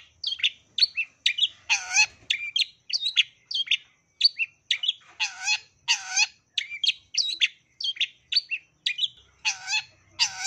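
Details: Long-tailed shrike delivering a lively lure song, meant to encourage other shrikes to sing, full of sparrow imitations: rapid high chirps and twitters interspersed with loud rasping bursts every few seconds, sustained throughout.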